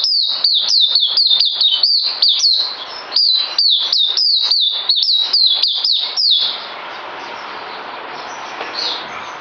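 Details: Bird song recorded 9 December 2018: rapid series of sharp, high whistled notes, each slurring down, delivered in quick bursts for about six seconds, then fading into soft background hiss with a faint distant note near the end.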